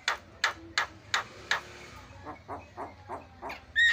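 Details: Javan myna lure recording meant to make other mynas call: a run of harsh, broadband rasping bursts about every third of a second, then softer, fainter rasps, ending in a short clear whistle.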